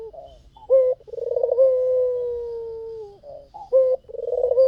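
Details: Low-pitched white dove song, lively and meant to lure others: a sharp opening note, a pulsing trill drawn out into a long smooth coo, then the phrase begins again.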